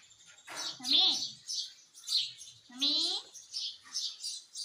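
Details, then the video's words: Pet parrot imitating the word "mummy"; two voice-like, harmonic syllables about two seconds apart sit over a constant hissy, chirping background. "Mummy Bolta Tota _ Parrot Speaking mummy mummy _ Talking Parrot"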